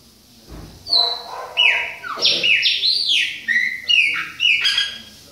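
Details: Chopi blackbird of the Bahia type, two birds including a young one, singing a loud series of sliding whistled notes that drop and rise, phrases about every half second, fairly clean background.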